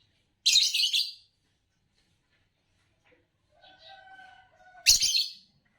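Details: A green Fischer's lovebird from champion song-competition lines lets out two broad, raspy chirp bursts about four seconds apart, with a faint wavering whistled tone sounding in between.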